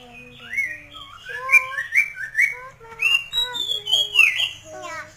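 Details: Masked laughingthrush, known locally as poksay mandarin, in lively full song: varied clear whistled phrases sliding and rising, rich harmonics, dense overlapping notes with no pauses, faint low background hum.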